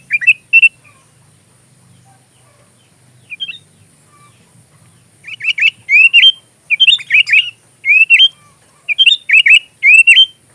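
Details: Sooty-headed bulbul, a vocal singer, used as fill-in song for magpie robins. A couple of early chirps and a faint note, then a steady series of loud, bubbly, rising whistled phrases roughly every second.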